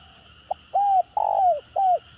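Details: One stuttering 'gagap' phrase from a spotted dove kept for luring other birds: a brief clipped note, an arched hollow coo, a long, strong coo sliding downward, then a final arched coo. A faint steady high whine runs underneath.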